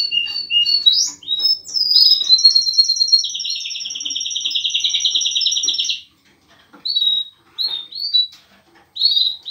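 A canary-linnet hybrid sings high, bright twitters, then a long rolling trill lasting about four seconds, followed by scattered short chirps.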